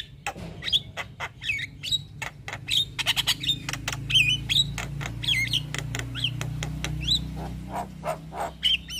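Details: Javan myna with white eyes singing with many fill phrases, nodding: rapid thin clicks and ticks interspersed with short twisting whistles, rather soft, over a steady low hum.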